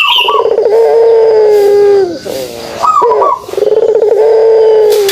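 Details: Kugeruk call of a pelung dove, with a long, even, low hooting coo that sags slightly at its end, a short rising note, then another drawn-out coo. Faint chirping sounds in the background.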